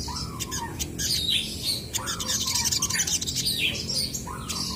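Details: Crested jays answering each other, with drawn-out whistled slurs that fall in pitch, repeated several times, mixed with harsh squawks and busy high chirps.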